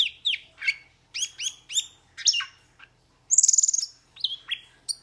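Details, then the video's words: Metallic starling singing a quick, varied string of sharp chirps and downslurred whistles, then a fast buzzy trill of high notes around the midpoint, followed by more short slurred notes and scattered chips. "Metallic Starling Aplonis Sounds ! Metallic Starling Aplonis Song Metallic Starling Aplonis Call !"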